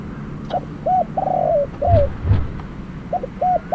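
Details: Decoy spotted dove for trapping uttering a phrase of short arched coos and a longer drawn-out burry note, then more brief coos, with a few low thumps in the background.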